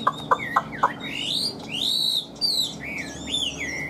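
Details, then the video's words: Caged Chinese hwamei singing: a few sharp clicks, then loud arching whistled notes and slurred phrases, rich and varied, over a steady low hum. "Họat Họa Mi"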